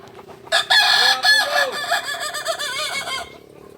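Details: Kukuak Balenggek chicken, an ornamental breed native to Solok, West Sumatra, heard at a practice contest: a loud, strained, harmonic crow made of many short rising-and-falling syllables in a long chain lasting nearly three seconds.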